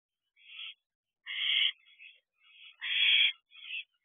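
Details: Barn owlet in an owl box late at night in mid-June 2023, with a large rodent. Rough, breathy screeches of uneven length, two strong ones and several softer, shorter rasps between them, in a quiet setting.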